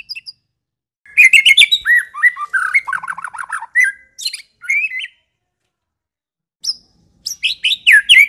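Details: White-rumped shama (murai batu) of the Medan type, used as a lure to provoke other shamas: rich, varied clear song of whistled slurs, rapid repeated notes in a falling run, a pause, then high sweeping phrases; quiet background.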